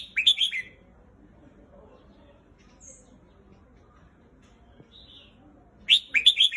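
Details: Red-whiskered bulbul song: a brisk phrase of several liquid, slurred notes, a long pause with faint background murmur and a couple of thin high chips, then another similar quick warbled phrase.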